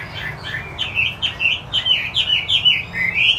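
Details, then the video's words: Chinese hwamei in vigorous song, delivering a rapid run of loud, clear whistled notes, each a quick upward and downward slur, repeated about three times a second over a faint low hum. "Hwamie Wambi Putih Gacor"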